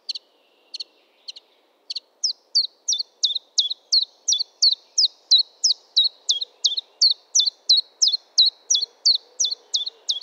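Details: [['Chiffchaff song opening with a few soft double chirps, then a long steady chain of about twenty-four sharp, high notes, three per second, over a faint low background murmur.']]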